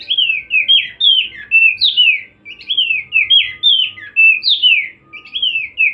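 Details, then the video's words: Oriental white-eye, a kept bird used as a master song for training, singing a steady run of sweet, slurred whistled phrases that dip and rise, each under half a second, with short pauses and a faint low hum behind. "full masteran burung opior"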